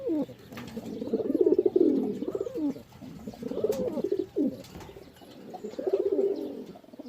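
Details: Pigeon cooing in three soft, low rolling bouts of throaty notes, separated by short pauses, with faint room noise behind.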